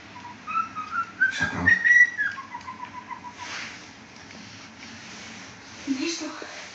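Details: White-bellied caique, a pet playing with a shoe and singing: a run of clear whistled notes that climb and waver, then a string of lower repeated whistles, with a brief thump and faint background chatter.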